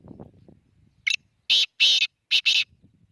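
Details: Black francolin calling near Khushab: a loud harsh, grating series of rasping notes, one short note then four longer scratchy bursts in about one and a half seconds, with faint low rustling before and after.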